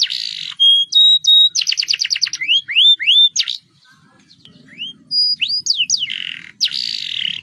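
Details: Canary delivering a roll-type song as a lure to get other birds singing: steady high whistles, a quick pulsed trill, and a series of rising slurred notes, then a pause before whistles and a harsh buzzy phrase.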